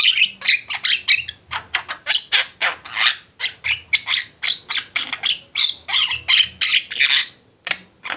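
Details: Several Javan mynas in an active, lively chorus, a master recording for bird training: a dense, steady stream of harsh, broadband squawks and rasps, about three notes a second, with no pause.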